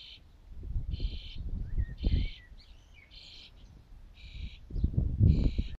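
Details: Nearly fledged young starlings begging incessantly for food from their parents: harsh, rasping buzzy calls repeated roughly every second, with brief squeaky chirps in between, accompanied by bursts of low rumbling and handling-like noise.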